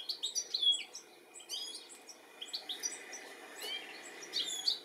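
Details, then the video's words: European goldfinch calling and looking for its young, UK, 13 July 2017; lively series of high twittering, tinkling notes in several bursts, with a faint hum throughout. "Goldfinch calling and lookink for his baby"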